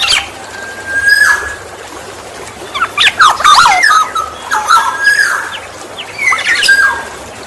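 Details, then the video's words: Black-naped oriole, played as a lure for fellow orioles: a drawn-out flat whistle, then a lively cluster of scratchy squawks and liquid whistles, ending with another rising whistled phrase. "Pancingan burung kepodang"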